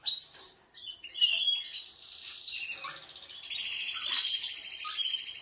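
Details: Singing canary, Portuguese Harlequin, Spanish, Malinois and Spanish Timbrado breeds named: high pure notes, then buzzy rolled trills and warbling phrases rising and falling.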